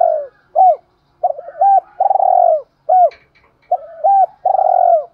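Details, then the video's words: Male and female spotted doves calling together, used to stimulate and train caged doves. Low mellow cooing phrases, each a few rising and falling hooted notes, come in bursts with short pauses between them. A faint higher chirp sounds near the middle. "tieng chim cu gay thuc gay goi và thúc/ chim cu gáy kích bổi và tập mồi"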